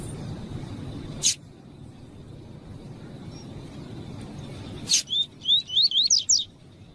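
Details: Double-collared Seedeater of the 'tui tui' song type, with female calls used to train and stimulate males: six quick, high, bright slurred notes, each rising then dipping, after two sharp clicks; a faint steady high whine runs underneath.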